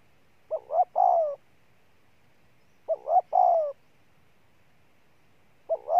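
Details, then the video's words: Spotted dove cooing: two short rising notes followed by a longer, falling, mellow coo, the phrase repeating about every three seconds against a quiet background. "Con Bổi Gù Trâu Bò nhất năm"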